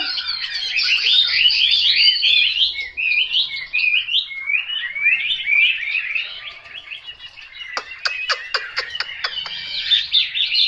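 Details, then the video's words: Chinese hwamei singing loud, looping whistled phrases that wander up and down. A fast series of sharp clicks follows, then fainter warbles that build again into bright notes at the end. "Họa mi tuyển chọn"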